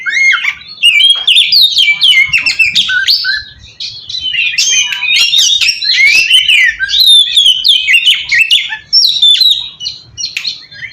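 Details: Oriental magpie-robin song used as a lure to draw other magpie-robins: a loud, rich run of varied whistles, harsh chatters and sharp notes jumping between mid and high pitch, with brief pauses.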